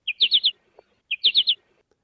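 American goldfinch giving its bright, chippy 'po-ta-to-chip' call twice, each a quick run of four high notes about a second apart.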